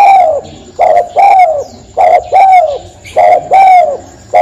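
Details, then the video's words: Loud spotted dove cooing close by, a regular series of deep, rounded coo notes, each slightly arched and dropping in pitch, grouped in pairs with short gaps, under a faint steady high whine. "Suara Burung Tekukur | Burung Dekukur"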